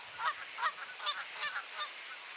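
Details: Goose honks from an annual territorial fight on a clear April morning in Sainte-Adèle, Quebec, Canada: five harsh, nasal honks spaced roughly every 0.4 seconds.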